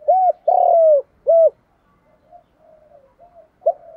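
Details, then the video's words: Spotted dove cooing as a lure call to draw other doves in: three loud, clear, low hollow coos, the middle one longer, followed by fainter softer coos and a final short note. "Chim Cu Mồi_ cu gay giong tho cuc dinh Thúc + gáy gọi bbooir nghe nhanh về và nhanh gáy"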